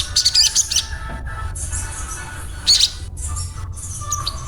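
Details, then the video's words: Crimson sunbird (sogon) giving its daily 'ngriwik' twittering rendered 'cuet cuet cuet': two short bursts of piercing high chirps, with quieter faint twitters between them. "Sogon Bunyi cuet cuet cuet Ngriwik harian"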